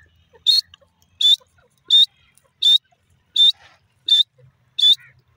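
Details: Grey francolin calling: short, bright, whistled notes given singly and repeated about every 0.7 seconds at an even pace, with a quiet background between them.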